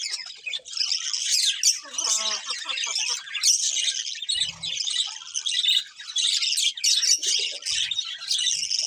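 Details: A group of colourful budgies chirping nonstop: busy, high twittering warble with squawky notes mixed in, a few brief low thumps in the background.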